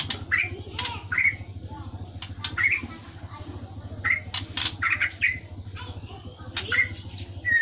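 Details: Magpie-robin song with a trocok flavour: brief harsh-edged whistled phrases repeated roughly every second, mixed with clicks and tapping, and a constant low droning hum underneath.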